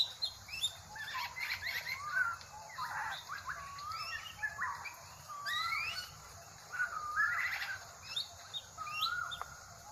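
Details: Drongo, described as crow-like, giving a busy run of varied whistles, slurred notes and short rasping bursts that continue almost without pause. A steady high insect drone and other birds are also heard.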